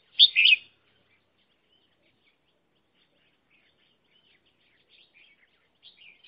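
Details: Decoy red-whiskered bulbul for bird trapping: a single loud, brief warbled phrase at the start, long near-silence, then faint twittering notes and a final sharp chirp.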